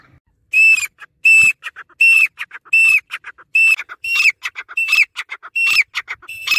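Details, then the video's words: Loud grey francolin (dakhni teetar) calling: a ringing whistle with a falling end repeated under a second apart, the later phrases gaining extra chattering notes between them. "Grey Francolin Teetar Sound"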